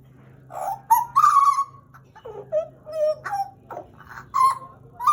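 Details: A captive pied butcherbird (Cracticus nigrogularis), a pet kept about two years, sings a run of rich, fluty whistles, some sliding up and some dipping, with short breaks between phrases over a steady low hum.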